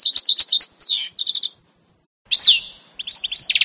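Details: Canary-goldfinch mule, 2018: short bursts of high twittering, a clear descending whistle and pulsed notes, separated by brief silences.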